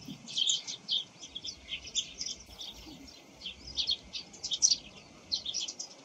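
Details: Eurasian tree sparrows chirping in the morning, loud bursts of bright clustered chirps with short pauses between groups, over faint low noise.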